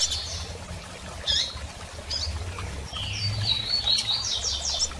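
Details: Female double-collared seedeater calling while soliciting mating: scattered high whistled notes, then a longer stretch of rising and falling thin whistles and quick slurred notes near the end, over a steady low hum.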